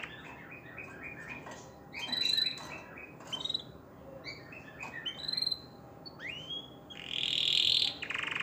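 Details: A canary sings to stimulate females to mate: a fast, varied run of bright chirps, trills and rising whistles, with a harsh buzzy roll near the end.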